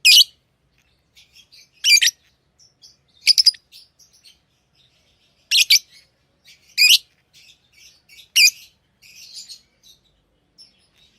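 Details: Tame lovebirds utter piercing, grating high chirps and short stuttered notes at irregular intervals over quiet background twittering.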